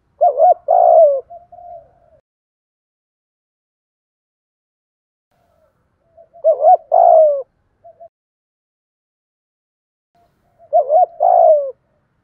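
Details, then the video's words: Spotted dove in 'thổ pha' style song, used to stir wild doves to coo and to train decoys: three throaty coo phrases spaced about five seconds apart, each a quick double note and a drawn-out falling coo, quiet between. "cu gáy giọng thổ pha, kích bổi nhanh gáy/ giọng hạp bổi"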